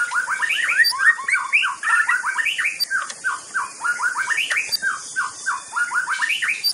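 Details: Continuous busy singing by a white-rumped shama: dense streams of fast, rising slurred notes repeated several times a second at mid pitch, over a constant high hiss.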